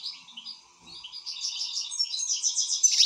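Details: Excited European goldfinch giving a short burst of quick chattering twitter that builds in loudness toward the end, with a faint hum behind.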